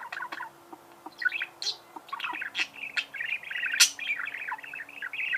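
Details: Budgerigar warble: scattered clicks and squeaks build into a dense, fast chattering song of buzzy notes, with one sharp loud click midway.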